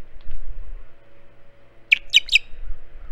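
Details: Ospreys at a Hog Island nest with two squabbling chicks, morning before a fish arrives, 6/12; after near quiet, three bright, sharp chirps in fast succession over faint low rumble and a steady hum.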